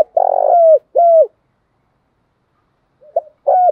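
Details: Spotted doves, male and female, cooing to rouse trained birds: a rough purr and two clear falling coos, a long silence, then a short note and a fresh coo.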